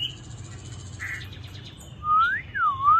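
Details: Chinese hwamei, a tame caged songbird, giving clear loud whistled notes that rise, then dip and rise again, after softer faint sounds at the start.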